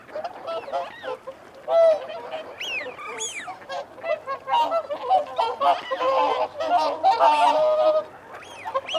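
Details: Feeding and territorial calling from whooper swans, a dense overlapping chorus of trumpeting, nasal honks, with shrill arched whistles of wigeon cutting through and mute swans sharing the water.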